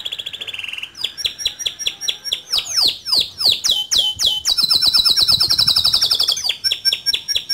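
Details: Song of a male canary in rolling, shooting style, suitable for training young birds: a high buzzy trill, sweeping downward notes repeated about four per second, then a long rapid rattling roll.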